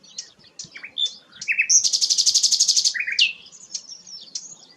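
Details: Rare sikatan londo singing a varied high song: short chirps and slurred whistles, then a loud, rapid buzzy trill of about a dozen pulses lasting over a second, followed by a sharp downslurred note and softer twitters.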